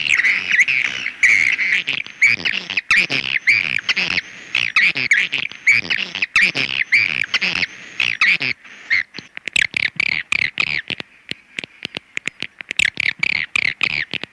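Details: Swiftlet calls: dense, rapid chirping and twittering notes in quick bursts, with sharp clicking sounds scattered throughout and a short quieter gap midway.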